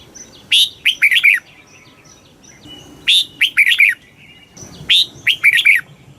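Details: Red-whiskered bulbul singing fast stimulating phrases: three bright, liquid bursts of several quick slurred notes, each about two seconds apart, with thin, steady high whistles in the gaps.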